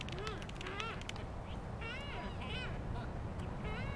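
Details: Waved albatrosses in the Galapagos giving serenade calls during courtship: short, nasal, arching calls that rise and fall, repeated in bursts every second or so over a steady roar of wind or surf.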